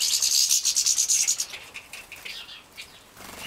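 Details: Young captive-bred European goldfinches at feeding, Poland 2017: a loud run of quick, very high pulsed buzzes lasting over a second, then fading into softer scattered chirps.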